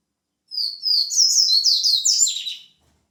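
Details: White-breasted seedeater delivering a fast, high warbled song of about two seconds, with rapid chirped notes tumbling slightly downward toward the end.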